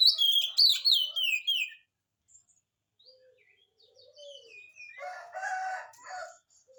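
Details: Energetic oriental magpie-robin song meant to coax silent magpie-robins into replying: rapid descending whistles and chirps, a quiet gap with soft notes, then a harsh, noisy rasping burst near the end.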